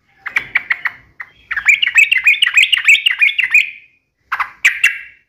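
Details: Trucukan, the yellow-vented bulbul, in sharp uplik and ropel song: a few spaced chirps lead into a long, rapid, bubbling warble, followed by two separate bursts.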